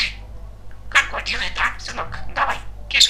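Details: Very talkative male pet budgerigar chattering indoors: a quick string of squeaky, speech-like syllables at a high pitch, with a steady low hum behind.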